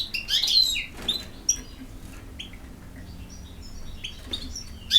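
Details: European goldfinch singing: a bright burst of rapid, tinkling high twitters at the start, then scattered short chirps and sharp notes separated by quiet gaps, over a faint low hum.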